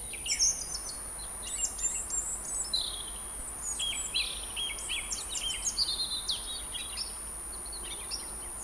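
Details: Song thrush singing in Montbéliard, France, filmed in late February or early March 2024: a rich stream of varied high notes, with clear whistles, sharp chips and short trills in quick succession over a faint steady background hiss.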